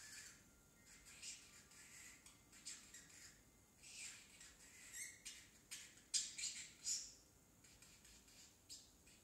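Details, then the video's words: A young pet parrotlet, a male still a baby, practising speech such as "tickle tickle": soft, hissy high-pitched syllables tumbling out irregularly, growing louder with sharp squeaky bursts toward the end. "Parrotlet talking"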